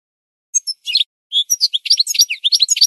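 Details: Goldfinch song played as a training recording for birds to learn from: rapid, high twittering phrases of tinkling chirps and short buzzy trills, starting after a half-second pause and growing denser, with no other sounds.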